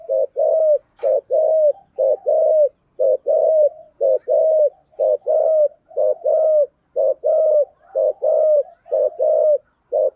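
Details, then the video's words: Spotted dove singing in the 'giọng thổ' voice style: low, mellow cooing notes in quick pairs and triplets, about one note per second, repeated steadily throughout with brief gaps between phrases. "chim cu gáy giọng thổ"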